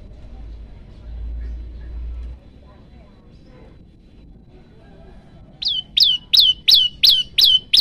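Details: A common tailorbird (Orthotomus sutorius), a hungry, vocal bird, gives a rapid series of about seven sharp, high, downslurred notes, nearly three per second, after a quiet start with a low traffic rumble.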